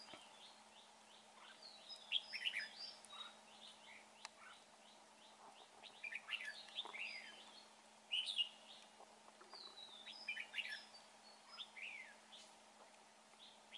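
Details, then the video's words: Red-whiskered bulbul in a trapping setup giving lively warbled whistles and chirps in repeated bursts, with sharp clicks between phrases and a steady low hum underneath. "Bẫy chào mào bộ đẹp. giọng hay"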